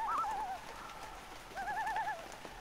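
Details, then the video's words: Wavering loon tremolos in light rain, two quavering phrases with a higher and lower voice overlapping, separated by a short gap, over steady rain hiss. "Light Rain & LOON Sounds - Loon Calls"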